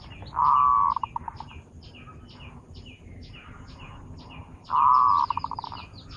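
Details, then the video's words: Zebra dove lure song: a drawn-out hollow note that breaks into rapid staccato beats fading away, repeated twice about four seconds apart, with high chirps from other birds throughout. "Suara burung perkutut pikat"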